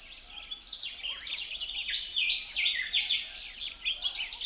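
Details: Busy chorus of birds with wind in the leaves: many high, sharp chirps and quick falling whistles pile on top of each other in a steady, unbroken chatter.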